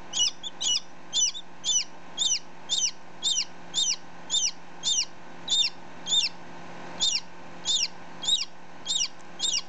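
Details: Newly hatched domestic chick, about ten minutes old, recorded close up beside another chick one day old; loud high peeps repeated steadily about twice a second, each a sharp falling chirp, over a faint steady hum.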